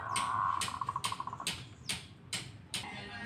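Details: Local zebra dove singing in reply to another dove: a smooth mellow trill breaks into a fast run of beaded coo notes, followed by loud dry clicks repeated roughly every half second.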